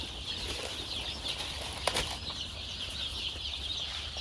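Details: Many farm chicks crowded into a box because of the cold give constant shrill cheeping, countless brief high chirps running together; one sharp knock is heard near the two-second mark.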